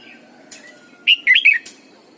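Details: Red-whiskered bulbul, a caged decoy bird, sings morning song in the double-note mature wild style. Brief quiet chirp, then a sharp click and a rapid phrase of four rich, slurred whistles, over a low hum.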